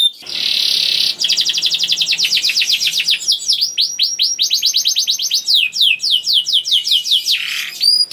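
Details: Young canary song aimed at stimulating other canaries to sing: a buzzy roll opens into a long run of trilled notes and quick sweeps, with a lower note near the end.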